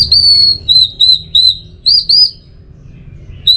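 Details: Training track of an orange-headed thrush meant to bring on teler song: clear sustained whistle, then several short arched whistled notes repeated at even intervals, a pause, and a final whistle; soft hum below.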